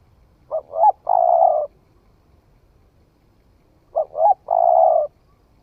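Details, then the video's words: Spotted dove just come into call, tested in forest in Vietnam, delivers two full phrases, each a pair of brief rising coos and a long, slightly descending purr, over a quiet background. "Tiếng chim cu gáy mới nổi thử rừng"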